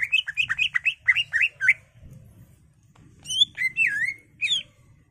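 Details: Caged greater green leafbird in excited full song used to goad other leafbirds into singing: a fast run of about ten rolling whistled notes, a pause, then longer swooping, slurred whistles with faint low background hum.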